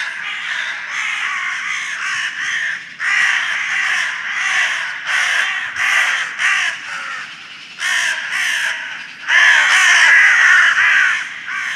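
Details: Noisy crows in the early morning outdoors, several birds cawing loudly and harshly in dense overlapping bursts, calls tumbling one after another with barely a pause.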